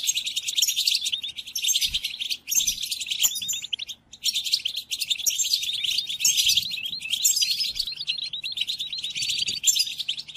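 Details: European goldfinch song used to train captive goldfinches, including during moult: rapid, liquid twittering in long dense phrases, broken by brief pauses near two and four seconds, with faint low thumps beneath.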